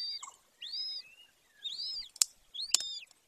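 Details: At a golden eagle nest in Bucovina's Carpathian Mountains, Romania, on 18 May 2024 at 14:19, where a female and male breed: three high arched whistles, rising then falling, mixed with two sharp clicks.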